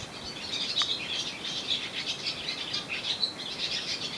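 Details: Swallows perched on a wire on the island of Susak, Croatia, singing: a continuous high chattering twitter of many short notes, with a steady faint hum underneath.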